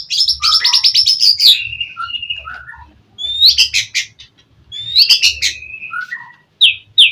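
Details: White-rumped shama in gacor singing meant to provoke an answer: bursts of high rapid notes and thin whistles separated by short pauses, with a steady low hum underneath.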